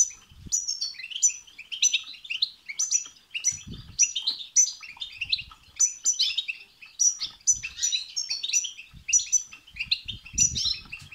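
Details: European goldfinch singing continuously, a recording for stimulating pet goldfinches to sing; busy liquid twittering with repeated high ringing notes and buzzy trills, faint low knocks now and then.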